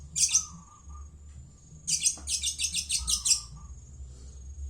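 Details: Long-tailed shrike of Madura origin uttering harsh, scratchy chattering bursts, one short then a longer run of about six rasping pulses, with a faint low steady tone in between.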